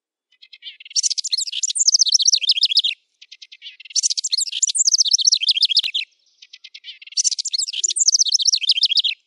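A wren sings three loud, high bursts, each about two seconds of rapid trills and sweeping notes that tumble downward, spaced by short pauses.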